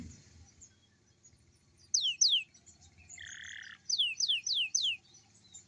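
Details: Young canary singing in the morning over a low background hum: two bright descending whistles, a short buzzy note, then four more falling whistled notes in quick succession.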